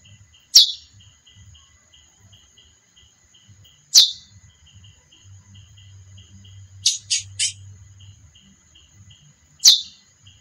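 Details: Female chestnut-bellied seed finch calling with isolated sharp descending chips spaced several seconds apart, plus one quick burst of three short raspy notes, against a thin constant high tone.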